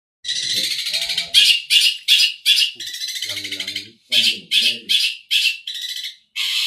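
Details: Long-tailed shrike singing a song that includes Tengkek Buto (collared kingfisher) material: loud harsh rasping bursts repeated in quick runs, broken by short pauses, with a faint low voice-like sound in the background.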